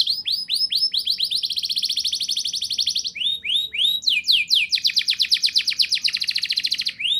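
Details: Canary in the rolling 'ngerol nembak' style used to get young canaries singing: rising whistled swoops lead into a long rapid trill, then more upward swoops and another extended high rolling trill.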